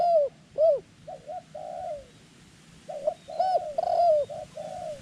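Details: Decoy dove luring wild doves: two strong downcurved coos open, followed by a string of flatter, buzzy-edged notes and more arched coos in quick succession.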